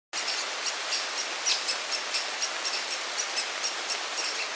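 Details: Great spotted woodpecker chick chirping inside a nest hollow with a parent close by and the second parent calling in the background; sharp, high chirps in a steady series, about two every second, over constant hiss.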